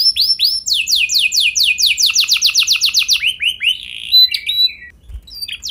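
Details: Canary song played to spur other canaries into long rolling song: quick swept trill notes, a slower run of curved whistles, then a few scattered chirps near the end.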